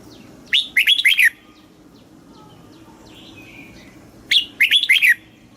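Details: Caged red-whiskered bulbul from Thailand singing a southern master-style song, played to excite caged birds and teach young ones. Two bright, fast whistled phrases of about five rising-falling notes each, about four seconds apart, over a quiet background hiss.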